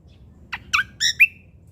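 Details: A Sumatran leafbird, called Cucak Kombo Lombok, gives a brief phrase: a dry rasping note, then a harsher nasal squawk, ending in a clear whistled note that slides upward and fades.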